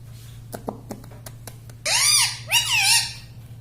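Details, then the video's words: Indoor talking parrot known for saying "mummy": soft taps and clicks, then two loud, hoarse arching utterances, the first swooping up then down, the second wavering, against a steady low hum. "Tota Tota mitthu mitthu - Bolne wala tota - tota talk - mummy bolne wala mitthu - talking parrot"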